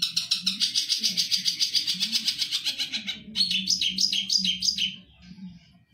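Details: Long-tailed shrike, a skilled mimic kept by bird hobbyists, gives a fast rattling trill of high notes, then several louder rising-falling chirps before fading out. A low steady hum runs underneath.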